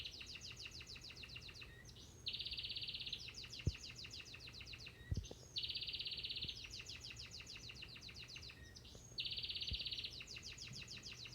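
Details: Crested Gloster canary singing at home, repeating phrases of fast rattling trills alternating with dense, even buzzy rolls about every three seconds, with faint clicks and low room noise.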